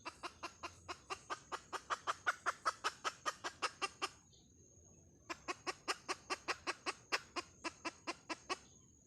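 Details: Hen clucking rapidly in two long runs of sharp, percussive notes, about two and a half per second, separated by a pause of about a second, with a thin steady whine behind.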